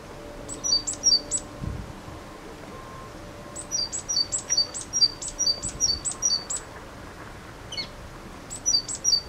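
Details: Great tit singing: bursts of high, sharp, thin notes in quick paired phrases, a cluster near the start, a longer sequence mid-clip and another at the end, with quiet hissy gaps between.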